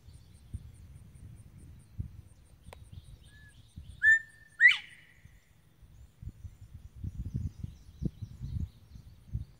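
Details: Male northern bobwhite singing from a slash pile of dead trees: a lower whistled note, then a sharply rising whistle, given once, with low rumbling and rustling noise around it.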